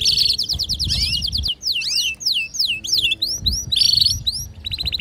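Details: Canary female's mating call with a male's song indoors: dense high trill opening, then a run of looping whistled notes sweeping up and down in quick succession, ending in a brief rapid rattle.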